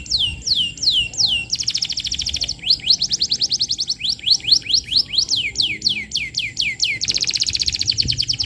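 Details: Lure song of a canary for training young birds: rapid, varied phrases of high descending whistles alternating with dense buzzy trills, each phrase repeated many times in quick succession.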